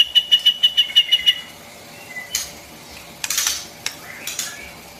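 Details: White-rumped shama song meant for tutoring young birds and stimulating newly caught birds: a quick run of about eight clear, evenly spaced whistled notes over the first second and a half, then scattered sharp clicks and harsh bursts.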